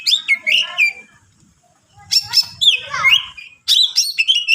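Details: Greater green leafbird singing to provoke other leafbirds: rich whistled phrases with slurred downward notes near the upper range, broken by a pause, then rapid chattering and twittering bursts.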